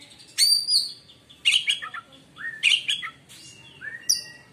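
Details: Singing white-rumped shama whose voice is said to silence other shamas: loud whistled phrases mixing sharp high notes, falling slurs and chattering bursts about once a second.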